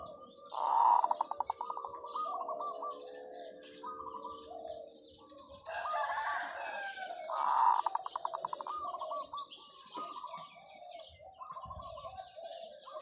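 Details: Zebra dove used as a decoy, singing long calls: two loud bursts each dissolving into rapid machine-gun-like pulses, separated by quieter trilled coos, over a hiss of distant birds and background noise.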